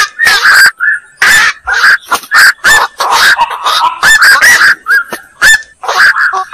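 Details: Black-crowned night heron: loud, grating squawks repeated in quick succession, some notes bending downward, with several callers overlapping into a near-continuous racket.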